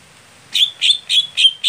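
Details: Greater green leafbird, a setting sound for a contest bird slow to warm up. Five buzzy notes with thin whistled tails come at an even pace, a little under three per second.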